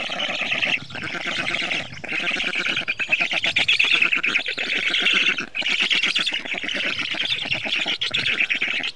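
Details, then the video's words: Black stork, a species passing in small migrating flocks between Europe and Africa in autumn and spring, gives harsh, rasping, rapidly pulsed calls running almost without a break, in long bursts separated by brief pauses. "صوت لقلق اسود Black stork sound"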